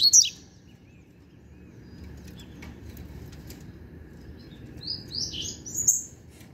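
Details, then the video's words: High chirped song phrases from a young novice double-collared seedeater, one at the start and a longer twittering run near the end. "Papacapim Novato Cantando Bitolado!!!"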